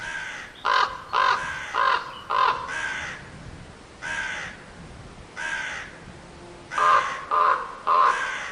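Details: Crow cawing in bursts: a quick run of five raspy caws, a few spaced single caws, then a closing set of three rapid caws.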